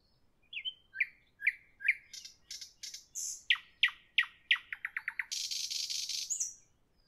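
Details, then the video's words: Nightingale in evening song: three slurred whistles, sharp clicks, then a quickening series of loud repeated descending notes that breaks into a long harsh hissing buzz. "Evening nightingale, nightingale song, nightingale"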